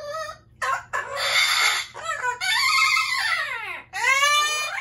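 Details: Loud Amazon parrots screaming: harsh, broadband screeches alternate with arching harmonic squawks that rise and then fall, in several bursts separated by short pauses.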